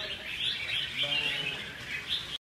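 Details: Red-whiskered bulbuls at a singing competition in Hương Sơn, Vietnam, sing together in a dense, bright chatter of overlapping warbled phrases, with a faint human voice underneath.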